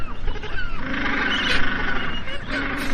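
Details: Magellanic penguin giving a drawn-out, nasal braying call lasting over a second, with a second shorter bray near the end, set against heavy low background rumble.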